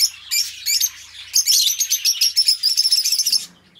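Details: Two pet budgies, kept as companions, chirping and singing: bright, high, rapid chirps and warbled notes in uneven bursts, with a dense run of quick twittering in the second half, then quiet with faint low rumble.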